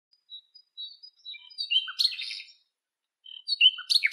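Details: Female Western black-eared wheatear in Greek nature, carrying nest material in her bill: scratchy warbling phrases of thin whistles and buzzy notes, a burst near two seconds, then a pause and another brief phrase.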